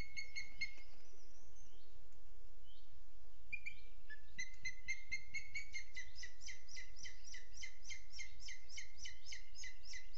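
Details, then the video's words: Booted eagle recorded by a webcam in Sierra de Guadarrama National Park on 12 June 2022, 07:20: a few scattered high notes, then a long, quickening run of sharp, repeated yelping notes lasting about six seconds. "Águila Calzada"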